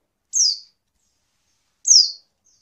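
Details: A pair of clear, high descending notes about one and a half seconds apart, given by a female Oriental white-eye and used to get reluctant males to sing and answer quickly.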